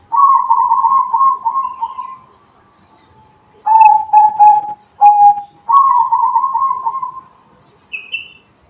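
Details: Bedah karang style song of a zebra dove: a long rolling coo, a pause, then a burst of three short rapid coos, another clipped coo and a second long rolling phrase, with a faint high chirp near the end.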